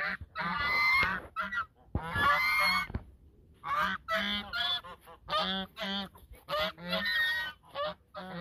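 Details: Geese at the mouth of the Sosúa river, Dominican Republic, honking as a duet: loud, nasal, brassy bursts, several overlapping calls roughly every second or two.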